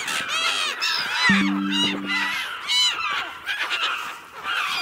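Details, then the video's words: Seagulls give drawn-out, harsh, wavering cries spaced about a second apart, along with a brief steady low tone and a soft background hiss. "Relax with the sound of the seagulls"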